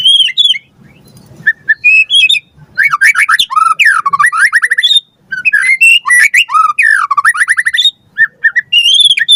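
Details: White-rumped shama in a lure recording meant to train captive birds, pouring out long bursts of rapid whistled and rattling notes separated by short silences.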